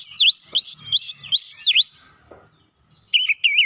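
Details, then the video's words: Kacer (Oriental magpie-robin) song in 'nembak rapat' style used as a tutor: five loud, V-shaped swooping whistles in quick succession, a brief lull with a thin high note, then lower rapid warbles resuming. "terapi masteran Kacer nembak rapat"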